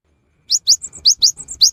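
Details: Cinereous tit sung as a rainy-season lure: sharp, bright notes sweeping upward, alternating with brief higher flat chips, about eight notes in quick succession after a short silence.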